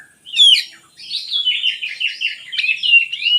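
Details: Oriental magpie-robin, used to lure lazy birds into singing: a rich, varied run of whistled and warbled phrases between two and five thousand, with a sharp opening note, then continuous slurred, rising and falling notes.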